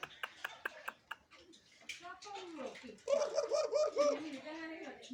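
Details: Mature caged Barbary dove, described as ready to become a master bird, gives one trembling, level coo lasting about a second after clicks and soft human voices.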